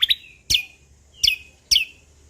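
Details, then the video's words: Sumatran leafbird from Lombok singing actively with nature-sound fill-ins: four sharp, bright chirped notes, each with a quick downward slur, spaced about half a second apart. Faint low hum underneath. "Cucak Kombo Lombok Gacor Isian Alam"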